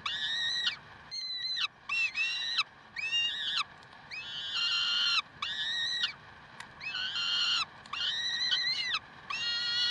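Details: Peregrine falcons at Karlsruhe, 30 May 2010, 7:27, calling insistently with a near-continuous series of harsh, harmonic wails about twenty-three a minute, each short and level with a falling tail, separated by brief gaps.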